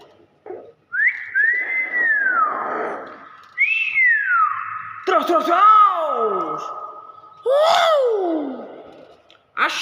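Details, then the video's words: Nias hill myna gives loud, clear whistles that arch up then slide down, mixed with harsh, voice-like mimicked phrases such as "pak po" and "terus terus", repeated every two to three seconds. "BEO NIAS SUARA ASLI"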